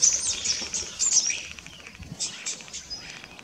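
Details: On Texel at Den Burg, the Netherlands, 26 October 2024, a rosy starling chatters loudly with high, buzzy and squeaky notes packed together, then softer scattered chirps follow.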